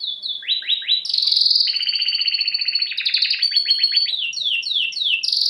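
A canary sings a bright, continuous song of rapid downward-sweeping trills and sustained high whistled notes, rolling without pause throughout.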